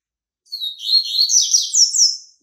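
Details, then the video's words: Yellow-bellied seedeater, Bahian white-breasted form, just out of moult, sings a loud, continuous two-second run of rapid rising and falling whistled slurs, high and clear. "COLEIRO BAIANO PEITO BRANCO SAINDO DE MUDA, CANTASSO"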